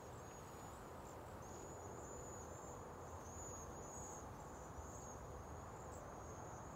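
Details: A migrating flock of cedar waxwings in San Antonio, Texas, just before a freeze, gives a steady stream of very high, thin, lisping trills that overlap without pause, over a low rumble of traffic or wind.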